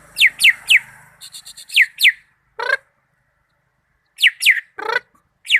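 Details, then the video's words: Greater green leafbird giving loud, clear downward-slurred whistles in quick groups of two or three, broken by harsh buzzy rattles and short pauses of near silence. "Cucak ijo mania malinau vs raja kicau"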